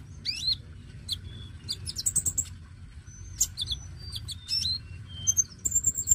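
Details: Dacok oriental magpie-robin in lively song used to get young magpie-robins singing: rising whistles, clipped chirps, steady pure whistled tones and bursts of clicks, over a constant low background hum.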